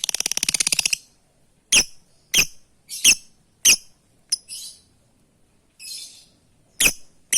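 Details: Lovebird calling its companions, starting with a fast chattering trill, then a series of sharp single shrieks spaced about half a second apart, mixed with softer raspy notes.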